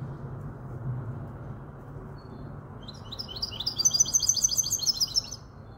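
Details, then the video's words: Five-month-old goldfinch hybrid from Casablanca. After about three seconds of quiet low hum, it sings a fast, high twittering run of short, repeated, bright chirps that lasts over two seconds. "تغريد هجين الحسون"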